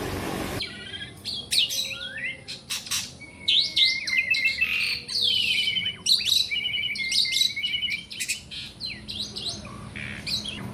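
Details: Asian pied starling, black and white, a cage bird singing without letup: fast jumbled phrases of whistles, clicks and harsh buzzy notes, constantly changing.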